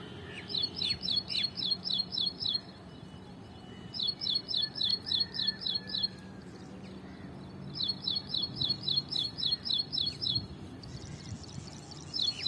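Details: Ashy prinia singing in a tree: bursts of quick, evenly repeated high chirpy notes, about nine to ten per burst, separated by short pauses, over a low steady background hum.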